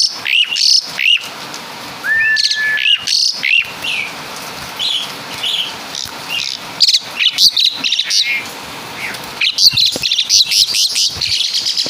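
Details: Asian pied starling, Javan-origin, singing mimicry of caladi and kapas tembak: scattered chattering bursts, one drawn-out flat whistle, and varied high slurred notes between quieter gaps.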